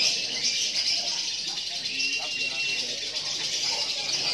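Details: Lovebird of the competitive fighter type, just through its moult and held outside its cage, pouring out a dense, unbroken stream of high, rapid chattering and twittering notes, with faint voices in the background.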